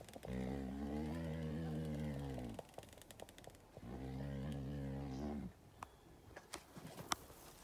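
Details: During a courtship dance at a Victoria Falls wildlife encounter, a male ostrich utters two long, deep, vibrating growls of about two seconds each, then falls quiet apart from sharp clicks and rustling.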